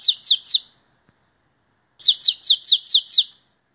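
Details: Belgian canary, a kept bird from Santa Catarina, Brazil, singing: a quick burst of three bright, high, sharply falling sweeps, a short pause, then a steady run of six identical descending notes, clean with no other sounds.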